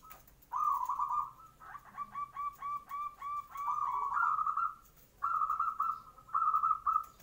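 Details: Morning zebra dove song used as a lure to prompt other doves to reply. Short purring coos come in uneven phrases, some broken into quick pulses and others drawn out, with brief silences between them.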